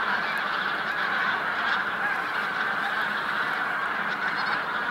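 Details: Bean geese at Jakubovská fishponds on 9 March 2014; a dense, unbroken chorus of many honking geese merging into a steady din, with no single call standing clear of the crowd.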